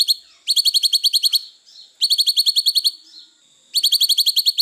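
Grey-cheeked Bulbul giving quick bursts of about nine sharp, high chattering notes, each burst under a second and repeated every second or two.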